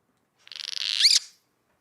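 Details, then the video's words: Cliff Swallow food-finding call, given on a cool, cloudy, misty day on finding flying insects, recruiting colony members: a fast burst of about a dozen rough pulses, then a squealing rising-and-falling note. "and if one of those Cliff swallows gets lucky and finds flying insects it makes this sound"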